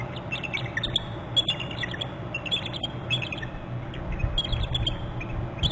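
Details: Bald eagles at a nest and territory camera on Hornby Island on January 18 in late afternoon. Both birds give alerting calls as another eagle joins on the nest. The calls are quick, high, chirping notes in irregular bursts over a steady low rumble.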